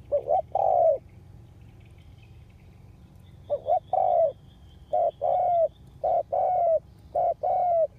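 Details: Spotted dove ground decoy, kept to lure wild doves, recorded August 2021: low hollow coos, each phrase a short note then a longer drawn-out one, repeated about once a second in four bursts over a steady low hum.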